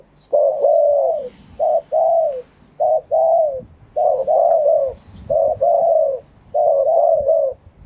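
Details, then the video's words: Live crowing of a spotted dove in authentic wild phrasing (kharm pa thae), Thailand: continuous series of soft, low coo phrases, short notes followed by a longer falling coo, packed closely together with barely any gaps. "เสียงนกเขาใหญ่ ขันสด คารมป่าแท้"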